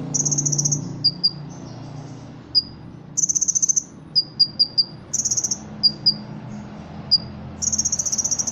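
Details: Caged Ruby-cheeked sunbird from Indonesia, trained for song contests, alternating cricket-like buzzy trills of under a second with clusters of sharp high chips, over a faint low background hum.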